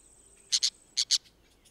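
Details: Orange-chinned parakeet pair in Costa Rica, 2021: two quick doublets of harsh, scratchy notes against a steady high-pitched insect-like whine in the background.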